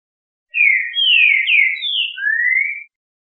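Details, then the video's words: Melodious whistled song of a green-winged saltator, a single phrase of downslurred notes closing with a long, smoothly rising whistle; background completely quiet. "O canto melodioso do Trinca Ferro. Todos os cantos desta ave maravilhosa."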